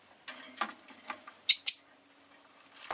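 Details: Rosy-faced lovebird, a pet bird, making two sharp, piercing chirps in quick succession over a background of soft clicking and tapping noises.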